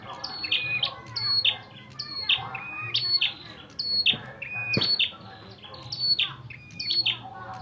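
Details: Prinia with red head fighting: rapid, irregular volleys of piercing chirps and short flat whistles, dense and excited throughout, with a faint low hum in the background.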